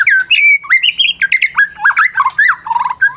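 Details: Prize-winning Medan white-rumped shama, its song meant to rouse mute shamas to sing. Quick continuous chattering phrases of squeaky slurred whistles and rattling notes.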